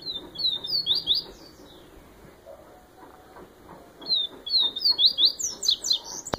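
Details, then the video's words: Viviti song of a yellow-bellied seedeater from Bahia (Baiano type). Two high phrases of quick, rising and falling whistles are heard, the second longer and louder, separated by a few silent seconds. A brief click comes at the end. "Papa Capim Baiano cantoria Viviti"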